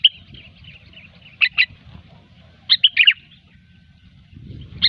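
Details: Gecor-style song of the sooty-headed bulbul, used as a pikat lure: scattered short, liquid whistled phrases of two to four quick notes, spaced over several seconds, with a faint low rumble behind.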